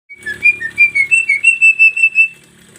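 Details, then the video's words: Javan myna song, a master recording used to provoke singing and for training: a clear series of about eleven short whistled notes, steady and evenly spaced, rising slightly and then holding a bright level pitch. "JALAK KEBO MASTERAN PANCINGAN FULL ISIAN SUARA"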